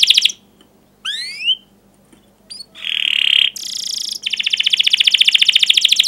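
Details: Canary singing a long energetic song used to stimulate young canaries learning to sing: a sweeping whistle, a steady high trill, buzzy notes, then a rapid repeated chirping roll.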